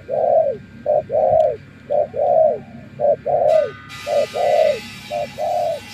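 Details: Spotted dove kept as a trapping decoy, cooing in paired phrases: a short note then a longer falling coo, repeated about once a second. A steady background hum runs throughout, and a loud hiss enters halfway.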